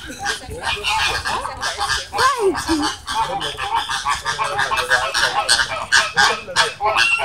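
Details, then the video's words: Flamingos fighting at the Vancouver Zoo, a loud continuous chorus of harsh nasal honks and gabbling calls overlapping without pause, with people's voices mixed in. "Flamingo Fight"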